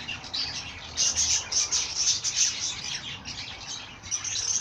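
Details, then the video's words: Bird singing a fast, continuous high twitter of short chirping notes, bright and busy from start to finish, with a faint low hum underneath. "Bird sing song madár ének"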